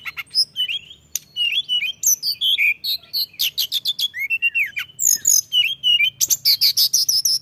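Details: Mountain tailorbird singing busily: a rapid, varied run of high chirps, short whistled slurs and buzzy notes, many repeated several times a second, with a faint low hum underneath.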